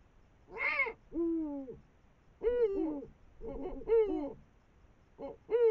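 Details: Eurasian eagle-owls, a female and a male, above the Moselle valley on 21 March 2022 at 5 am while eating a brown rat; repeated rasping, nasal, downward-bending calls come in short bursts, about six over six seconds, in a quiet setting.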